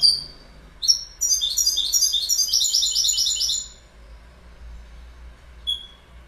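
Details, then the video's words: Goldfinch: a high thin note, then a sustained rapid jingling twitter of bright tinkling notes for nearly three seconds, followed by quiet with one faint high note. "Goldfinch Bird Sound"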